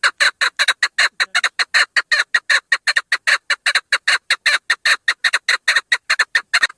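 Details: Rapid, nonstop chattering from a female chukar, harsh clucking notes tumbling out several per second in an uneven, rollicking rhythm.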